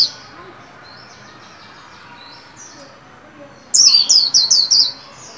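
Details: Caged white-eye being trained to sing, new year 2021, in a 'líu' style: after faint, thin high notes, a loud burst of about six rapid, high, descending chirps.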